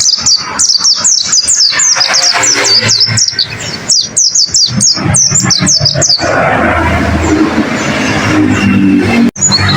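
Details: Masteran song of a pleci (white-eye) used to train caged birds: a sustained, rapid twittering of high, bouncing, down-slurred notes, about four per second, running six seconds before fading into rushing noise.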